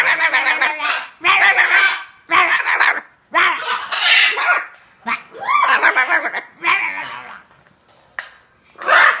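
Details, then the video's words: A pet Hyacinth macaw that learned to bark like a dog and now does it for fun gives a string of about eight harsh, raspy, bark-like bursts, roughly one a second. "Hyacinth Macaw parrot learned how to bark like a dog"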